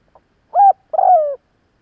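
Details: Spotted dove calling to rouse wild doves: one phrase of a faint pip, a clear low coo, then a longer buzzy wavering coo sliding downward; otherwise silent.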